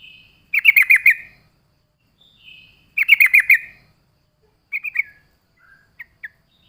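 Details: Yellow-vented bulbul lure song. Twice a soft whistle leads into a lively burst of five quick bubbling notes. A short chirping pair and a few isolated clicks follow.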